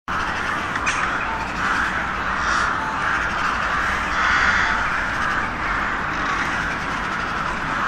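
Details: Crows calling together, a dense continuous chorus of harsh overlapping caws with no clear gaps between individual calls.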